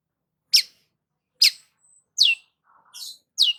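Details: Long-tailed shrike, 'gacor' song played to provoke a stressed shrike: sharp downward-sweeping high notes repeated roughly every second, with a softer buzzy note and faint low chatter between.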